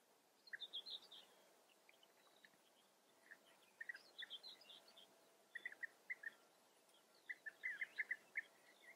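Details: European bee-eaters in the Eifel, Germany, give soft, liquid, rolling chirps in short bursts every second or two, with faint background hiss.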